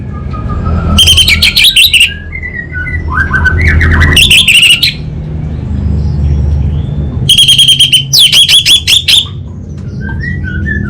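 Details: Energetic song of an orange-headed thrush (anis bata) from Singaraja, North Bali: two long bursts of rapid, harsh chattering trills, with soft varied whistled notes in between and a low hum throughout.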